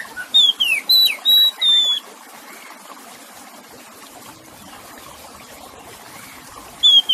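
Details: Oriental magpie-robin singing beside a trickling water sound used to calm stressed birds: a brief burst of clear whistled slurs and steady notes, then several seconds of only running water before a final whistle.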